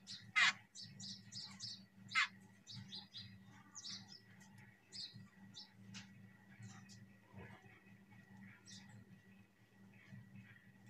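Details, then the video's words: Jungle babbler mother feeding her baby, with loud harsh chattering notes and short squeaky bursts repeated irregularly over a steady low hum. "Jungle Babbler Mother Feeding Her Baby"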